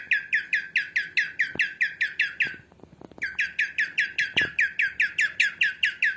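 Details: Female cockatiel calling, intended to train cockatiels: quick series of grating, descending chirps, a short pause with soft knocks and taps, then another fast, regular run of the same chirps.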